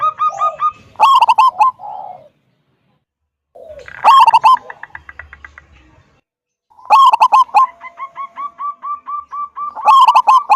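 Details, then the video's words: Local wild zebra dove with a big, loud voice, singing in a way meant to lure other zebra doves into song; three phrases of sharp opening notes running into rapid, staccato pulsed cooing trills, separated by short pauses. "Perkutut lokal gacor suara besar - SUARA KUNG"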